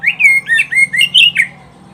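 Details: Oriental magpie-robin, song for training pet birds: a quick burst of seven loud whistled notes, some slurring downward, some rising with sharp clicks, ending abruptly, then quiet with a low steady hum.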